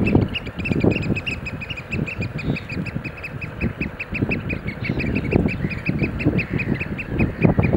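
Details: Eurasian oystercatchers in a display dance: rapid, shrill piping notes repeated several times a second throughout, with a steady low rumble and thumping noise underneath.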